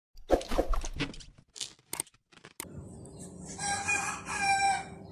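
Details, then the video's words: Red village rooster crowing in the morning: after some clucking and scattered knocks, a long harmonic crow begins midway and holds steady to the end. "صوت الديك الاحمر في الصباح/ صياح الديك عند الصباح/أصوات الديك"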